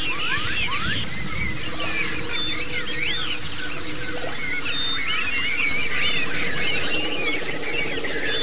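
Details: White-eye song played as therapy audio so caged birds learn the ngalas and ngerol styles; busy, unbroken high warbling from several birds, with curling whistled phrases and rising slurs throughout.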